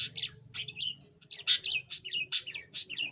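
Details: Yellow pet budgerigar, once silent and now starting to chatter a little, gives a busy warble of short chirps and rising-falling trills, with bright bursts roughly every half second over a low indoor hum.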